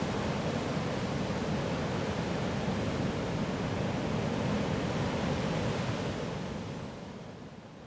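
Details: Steady roar of surf washing over a beach near the sea, easing slightly toward the end, with no animal calls heard.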